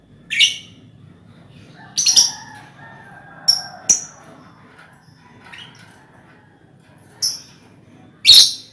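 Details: Colony of lovebirds offered as a lure for ngekek trilling: sharp, high chirps and rougher squawky notes at irregular intervals, over faint lower drawn-out tones in the background.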